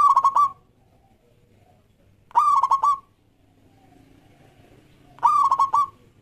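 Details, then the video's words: Lure song of a local Indonesian zebra dove, played to get other doves singing: three brisk rolling coo phrases, each roughly half a second, repeated about every two and a half seconds over faint background hum. "Perkutut Lokal Gacor Suara Yang Pas Buat Pancingan"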